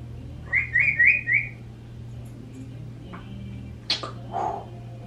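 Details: Left alone indoors, a 26-year-old African grey and a 16-year-old Quaker parrot give four quick chirps in a tight, rhythmic run. Soft clicks and a brief squawk follow a couple of seconds later over a low hum.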